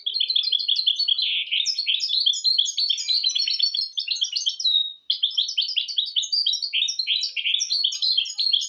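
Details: Mule hybrid of goldfinch and canary in full song, used to train goldfinches and canaries: rich, rapid warbling of chirps and rolling trills, one brief break midway, then the fast twitter resumes.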